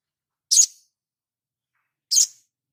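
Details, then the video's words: Sunbird master recording for training birds: two short, sharp, high-pitched chip notes about one and a half seconds apart, separated by silence. "Dasyatnya MASTERAN INI ‼️SOGON LANGSUNG NGLEPER ‼️"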